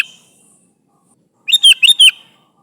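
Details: One brisk phrase of four liquid, slurred chirps from a sooty-headed bulbul calling its companions, preceded by a faint trailing note and silence.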